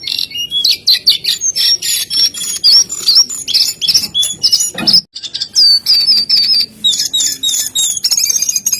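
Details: Jongkangan in full, lively song: dense, high, ringing whistles and sharp trills delivered in rapid bursts, a brief pause at about five seconds, then more rapid whistled phrases.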